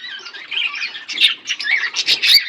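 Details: Pet budgerigars, a pair, warbling: soft, rolling high chatter growing into louder, scratchy chirps and squeaks in rapid bursts toward the end.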